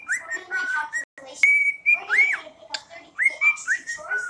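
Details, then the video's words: Whistled melody from a pet cockatiel, the tune September: quick upward-swooping notes and flat held tones alternate, with a short break near one second and light clicking in the background. "Harley The Cockatiel: September"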